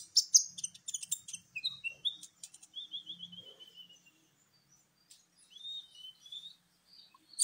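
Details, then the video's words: Sunbird (kolibri ninja), a champion bird used to set other birds singing: bursts of sharp high chirps, followed by a descending series of thin repeated whistled notes and a softer closing phrase. "pancingan para master juara kicau burung kolibri ninja"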